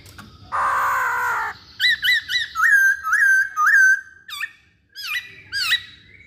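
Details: Poksay Hongkong laughingthrush in full voice: a harsh one-second rasp, then bright rising whistles repeated several times, a quick downslurred note and two final whistled flourishes.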